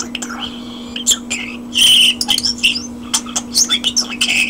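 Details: Common starling indoors singing a dense, fast jumble of clicks, rattles, a loud grating burst and thin whistles, continuing with rapid chattering notes over a low steady hum.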